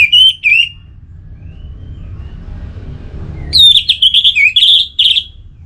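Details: Orange-headed thrush singing in a relaxed manner: two wavering whistles, a quiet gap over low rumble, then a lively string of loud, varied whistled notes with quick pitch turns.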